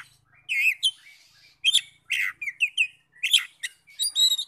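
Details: Oriental magpie-robin song meant to trigger singing in other magpie-robins: bursts of rich whistles and harsh chirps, loops of warbled notes, and clear high whistled ending phrases, delivered in short separated groups.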